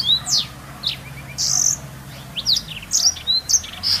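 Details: Black-throated canary song used to tutor canaries: sharp descending whistles, a buzzy drawn note and crisp high chirps in uneven bursts, soft hum behind.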